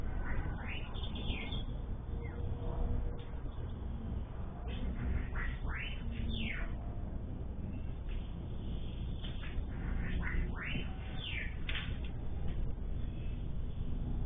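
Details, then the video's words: Sayaca tanager in Brazil giving a soft, squeaky song of quick slurred notes, in bursts of two to four downslurred and upslurred whistles spread across the recording, with constant low background rumble. "Sanhaço-Cinzento Cantando"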